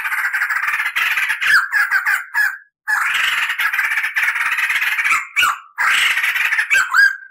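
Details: Crested laughingthrush in a tutor recording, delivering long rolls and cackling: harsh rapid chattering runs, several loud bursts separated by short silences, ending on a clear whistled note.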